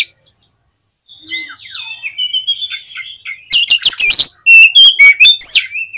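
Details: Kacer, or Oriental magpie-robin, singing to provoke other magpie-robins: soft wavering whistles after a short pause, then loud bursts of harsh rattling chirps and bright looping whistled notes.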